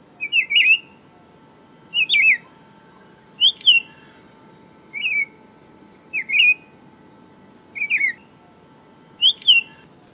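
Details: Buff-throated saltator (tempera-viola) singing: seven short, clear whistled phrases, each rising then falling with a slurred ending, repeated about every one and a half seconds over a steady high hum.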